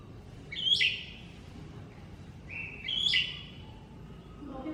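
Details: Mini greater green leafbird used as a master song: two clear whistled phrases, each a level note rising into a sharp, bright flourish, about two seconds apart, over a low background rumble.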